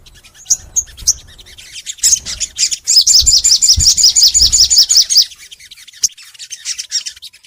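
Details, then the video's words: Crimson sunbird (sogon) in long full song, recorded as a master to prompt kept sunbirds to sing: a fast, even trill of high notes running about two seconds, framed by scattered sharp chirps. "MASTERAN SOGON FULL NEMBAK! Suara Sogon Gacor Panjang"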